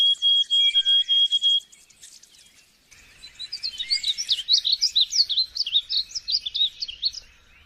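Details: Small bird song with a brief run of high whistled notes, a pause, then a fast jumbled warble of sharp chirps repeated roughly three times a second over light background noise.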